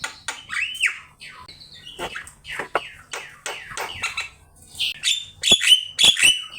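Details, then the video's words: Javan myna in full song on a master recording meant for teaching cage birds to sing: a varied run of clear whistled slurs, sharp clicks and chattering notes, closing with high ringing whistles near the end. "Suara jalak kebo gacor , belajar bunyi pake masteran top ini"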